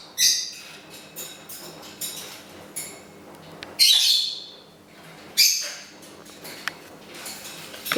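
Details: Indoors, a pet parrot sings happy birthday to its owner on her birthday; softer scattered harmonic chirps, then two louder raspy phrases near the middle and later, separated by quiet pauses.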